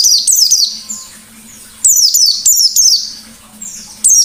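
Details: White-eye in lively ngalas-style song, a recording meant to prompt other birds: rapid clusters of very high descending chirps, several notes a second, broken by short quiet gaps with a soft background hum.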